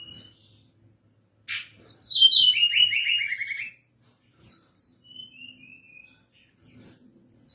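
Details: At night, a forktail gives a lure call used to provoke other birds. One loud two-second run of rapidly repeated, falling whistled notes is followed by a few softer, scattered high whistles.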